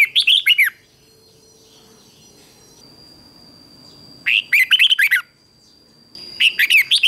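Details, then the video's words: Red-whiskered bulbul competition singing used to stimulate and train birds: three separate bursts of five to seven fast, slurred whistled notes, spaced by quiet stretches of two to three seconds with a faint high whine. "Luyện Chào Mào Hót Đấu Ché"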